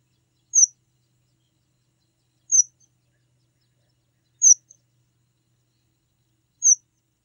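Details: High, thin chip calls of a red munia, or strawberry finch, repeated four times at a steady interval of about two seconds, each note quick and falling.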